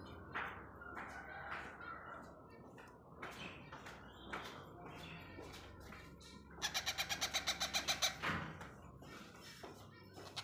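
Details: Young yellow rose-ringed (ringneck) parakeet at feeding time gives scratchy, rasping begging calls, then a fast run of about a dozen harsh pulses near the end; some handling noise underneath.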